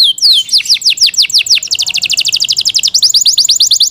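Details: Yorkshire canary kept as a pet, singing descending whistled sweeps that shift into a rapid, even trill of high notes before returning to slurred whistles.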